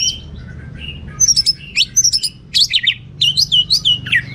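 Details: Anis merah, the orange-headed thrush, in 'teler' style song full of varied material: quick bright whistled notes that bend and warble, grouped into lively runs, with a faint low hum behind.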